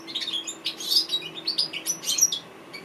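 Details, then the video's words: African goldfinch singing a rapid stream of high twittering, chirping notes and brief whistles in quick succession, bright and tinkling, with a faint steady low hum beneath. "Amazing African goldfinch bird singing"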